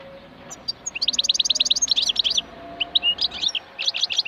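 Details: European goldfinch of wild stock in song with the prized ringing 'rana' quality: rapid, evenly repeated high tinkling notes, then a brief pause and more liquid twittered phrases, over a quiet low hum.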